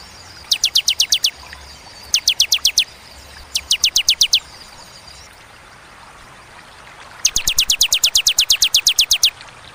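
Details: Bar-winged prinia (ciblek) singing in the clear, paced tembakan style. It gives short bursts of seven or eight rapid, high, downslurred notes, separated by pauses of about one to four seconds. Faint background hiss.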